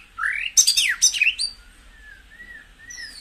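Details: Song of a White-rumped shama, meant to fire up caged birds: a rising whistle, a burst of harsh rapid notes, then soft drawn-out whistles and a high descending slur.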